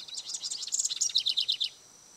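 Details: House wren (Troglodytes aedon) singing at Bombay Hook NWR, Smyrna, Delaware: a bubbly, rapid jumble of high chattering notes, then a run of quick descending trills, ending abruptly.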